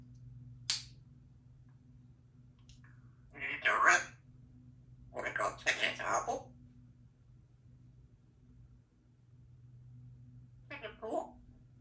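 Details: Young female Congo African grey parrot kept as a pet in a country home, chattering; several bursts of speech-like babble separated by long quiet gaps, over a steady low indoor hum.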